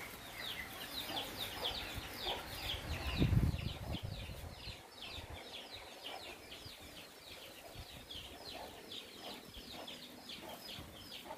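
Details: Wild, tame Javan mynas near people chatter in rapid, rough repeated notes, roughly three per second, with a short burst of low noise partway through.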